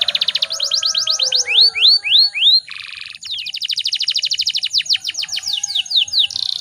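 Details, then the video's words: Canary hen in heat calling to stir males to sing. Fast chirp trills, a few rising swooping whistles, a brief buzzy burst, then a long run of quick repeated notes ending in a buzzy block. "PANCINGAN KENARI BAHAN AGAR CEPAT BUNYI"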